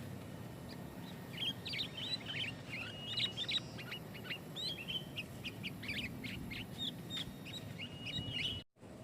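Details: Sooty-headed bulbul pouring out rapid, dense lure song that presses rivals and sets other bulbuls singing: many short chirps, slurs and whistles packed tightly for several seconds, ending abruptly in a brief dropout, over low hum.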